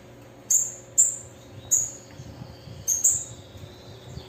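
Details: Female bananaquit calling: five very high, thin, sharp chips at uneven gaps, each a short bright note with a quick fade, over a faint low steady hum.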